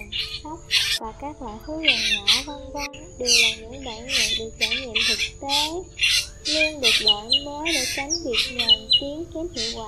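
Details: A Black drongo calls in a rapid, varied stream of nasal whistled notes, with harsh buzzy bursts roughly every half second; flock-calling lure recording used for trapping migrating drongos.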